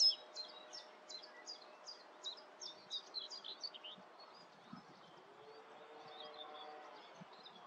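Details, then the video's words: Reed bunting singing in the Grote Netevallei, Gestel, on 28 May 2022: a steady string of short, high, clipped chirps repeated roughly every third of a second, fading into soft background with a faint distant low tone. "Deze zingende rietgors laat zich duidelijk horen"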